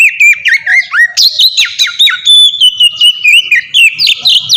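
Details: Oriental magpie-robin singing in the melodious 'ngeplong' style, used as a lure to make young captive magpie-robins sing. Loud, varied whistled phrases slide up and down, with sharp rising notes and rapid chirps packed into a continuous stream.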